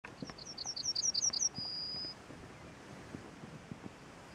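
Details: Small bird singing on a branch: a quick series of about ten high, clear chirped notes, then one long steady whistled note, over faint background noise.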